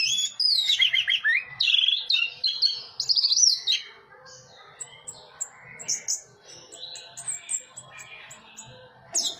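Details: Orange-headed thrush in teler song, opening with loud descending whistled slurs and rapid chirps, then softer scattered high notes and quiet twittering, a faint low hum throughout.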